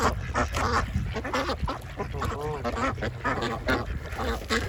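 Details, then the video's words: A variety of ducks eating lunch at a pond: dense, overlapping nasal quacks, some short and clipped, others drawn out and bending in pitch. Low background noise throughout. "Ducks Feeding and quacking sounds"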